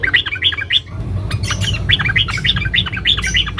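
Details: Female sooty-headed bulbul calling a male, a dense ngeriwik call: rapid, uneven chirps and short warbled notes, about three per second, running nearly continuously with a brief pause near the first second, over a low background hum.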